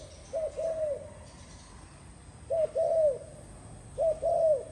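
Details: Three phrases from a spotted dove, each a brief clipped coo leading into a longer rounded, falling coo, separated by pauses of over a second.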